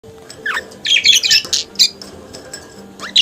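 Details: Budgerigar singing and chattering: bursts of scratchy, buzzy warbles and a couple of quick rising whistles, broken by short pauses, over faint steady low tones.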